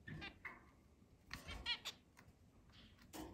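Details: Eight captive zebra finches kept in a large cage and let out to fly around a house, recorded 10 July 2022; a few short nasal, honking calls with one clear burst near the middle, set against a quiet indoor background.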